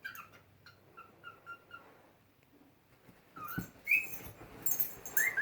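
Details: A pet cockatiel whistling at its owner makes soft, smacking kissy noises, then bright rising whistles and squeaky chirps.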